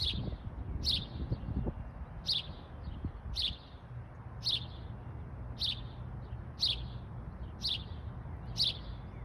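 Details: Bird identified as a house sparrow calling in Michigan: sharp, bright chirps repeated about once a second, nine in all, over a steady low rumble of background noise.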